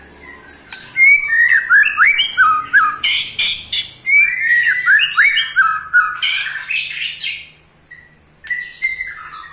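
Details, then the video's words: Caged eight-month-old pastol male white-rumped shama, trilling to provoke other shamas; fast sequences of loud, down-slurred whistles and sharp clicks, a pause, then a few short whistled notes. "KETREKAN Pastol 8 bulan Bikin EMOSI murai Lain"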